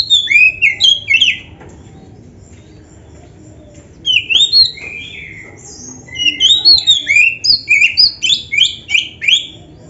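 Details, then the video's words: Oriental magpie-robin song played to make caged birds respond: clusters of sharp, sweet whistled notes and quick upslurs, in three bursts separated by pauses, the last longest and most rapid. "PANCINGAN KACER GACOR ISIAN"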